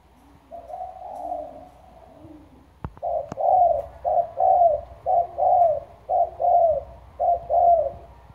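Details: Spotted dove used as a lure bird, from Trà Vinh, with a deep, loud voice: soft low coos, then a regular series of paired husky coos, the second longer, repeated about once per second, with a couple of sharp clicks.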